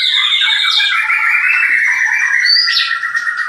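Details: White-rumped shama kept at a breeding farm in Klaten delivering a continuous, loud warbled phrase of slurred mid-pitched whistles with a few brief higher sliding notes, no other sounds noticeable.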